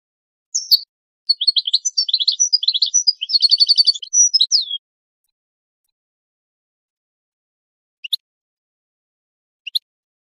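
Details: A goldfinch twitters for about four seconds in a lively run of high, buzzy trills and chirps. Long silence follows, broken by a couple of single faint high notes. From a song tape for teaching chicks and songbirds.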